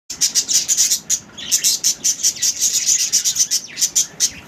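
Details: A pair of budgerigars feeding each other chirp in quick, scratchy, high-pitched bursts with brief pauses between.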